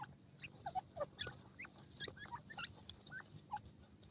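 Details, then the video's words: White francolin chicks playing at will: short, sharp peeping notes, many slurred up or down, scattered irregularly from several chicks over a steady low background hum. "white pheasant chicks playing at will,balchi teetar ki awaz"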